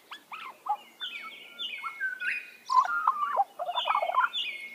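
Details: An Australian magpie carols in a rich, flute-like jumble of warbled and gurgling notes, with clear sliding whistles and quick burbling runs; the setting is otherwise quiet.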